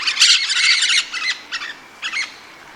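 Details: Rose-headed parakeet calling: a burst of harsh, broadband squawks in the first second, followed by shorter screechy notes spaced about half a second apart, then a final brief pair.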